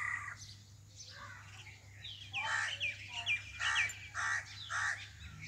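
Common myna giving harsh, scratchy chatter mixed with sharp whistled notes, in bursts about every half second; low background hum throughout.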